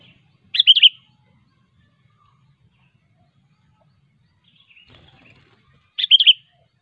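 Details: Sooty-headed bulbul singing sharply to call rivals, recorded in nature: two brief bubbling whistled phrases about five seconds apart, with a faint soft call between them and quiet background otherwise.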